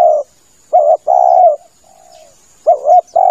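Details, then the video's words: Spotted dove lure call for hunting: low, mellow coos, a short wobbling double note then a long coo, with a faint softer coo in the gap between phrases. "SUARA PIKAT TEKUKUR cocok buat nyanggong . suara tekukur"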